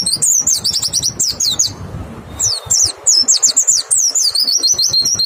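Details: White-eye singing a clear lure song to draw responses from other white-eyes; fast high-pitched chirpy trills, a brief pause near two seconds, then more rapid twittering phrases of sweeping notes.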